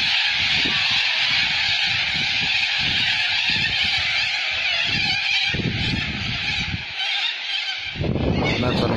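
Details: Huge flock of birds flying over a neighborhood in Australia, squawking loudly as it passes; a dense, unbroken roar of harsh overlapping squawks that eases briefly near seven seconds and then swells again.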